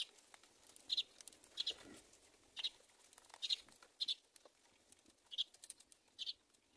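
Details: Baby mynas in a nest waiting for their mother to feed them: short harsh high calls repeated roughly every half second to second, with faint rustling and patter in the background.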